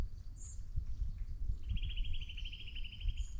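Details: Eurasian nuthatch calling on a windless winter day after overnight snowfall, 8 February 2024: a fast, even two-second trill of bright mid-high notes with thin high squeaks, over low rumbling and chewing as a dog munches a snack.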